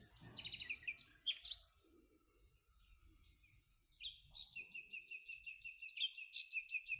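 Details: Two male Common Nightingales counter-singing and matching song types: one gives rich whistled phrases, then the other replies, opening with a rapid run of sharp repeated notes near one high pitch.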